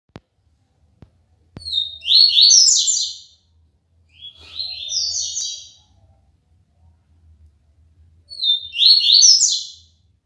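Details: Seedeater (papa-capim) from Aracaju, Sergipe, Brazil, singing the clean 'tui tui' song style: three rapid, buzzy, twittering high phrases, each about one and a half seconds, separated by pauses; a few clicks at the start.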